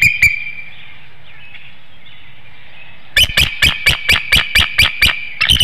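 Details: Eagle warning call at a Hanover, Pennsylvania nest, evening of 7 April 2019, as an intruding eagle passes the woodlot: an opening squeal, quiet pause, then a rapid run of about ten sharp, piping chirps.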